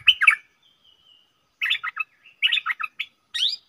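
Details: Caged stripe-throated bulbul, recorded 7 June 2021: a short gurgling phrase, a faint thin whistle, then several more rapid chirpy warbled bursts ending in an upward-sliding note.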